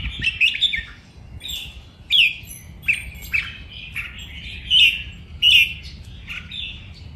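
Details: Red-whiskered bulbul kept as a cage bird, singing playful training song: a steady run of bright, squeaky whistled phrases, one roughly every second, varying between sharp slurs and softer warbles, over light background hum.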